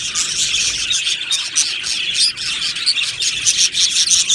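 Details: Colony of Australian budgies kept in an aviary, chattering together: constant high, scratchy twittering with brief bright chirps popping out, no pauses, many birds calling at once.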